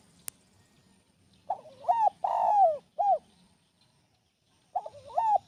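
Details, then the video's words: Spotted dove singing for training: one full phrase of soft rising coos, a long sliding coo and a short closing note, then the next phrase begins after about a second and a half of quiet. "SUARA BURUNG TEKUKUR"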